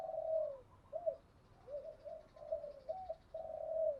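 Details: Distant spotted dove used as a decoy to lure wild doves, giving a string of soft, rolling coos and hoots with a long falling note at the start and end, over a faint background hiss.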